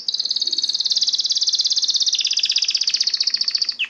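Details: Canary holding one long, very rapid rattling trill at high pitch, steady and loud for nearly four seconds, ending in a short downward slur.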